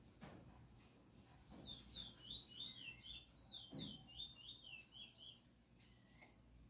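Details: Close-up recording of a selected singing chestnut-bellied seed finch, known locally as bullfinch, marbled with white splash; fast warbled phrase of high, looping whistles for about four seconds, then a softer note, with light background hum and knocks.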